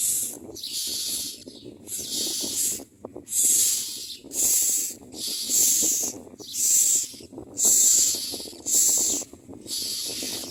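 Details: Common myna baby birds screaming for food during feeding: a steady series of harsh, breathy screeches roughly every second, growing louder, over continuous rustling and scraping.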